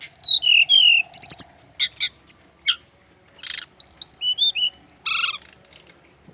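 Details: A male brown-chested jungle flycatcher from Bali sings high falling whistles and quick rattles, then, after a brief gap, a jumble of mixed chips, whistles and harsh notes.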